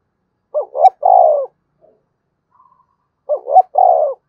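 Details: Spotted dove giving fast-paced and calling crow, two three-note phrases: brisk paired notes then a long descending coo, roughly 2.8 seconds apart, with a tiny click and very faint soft notes between.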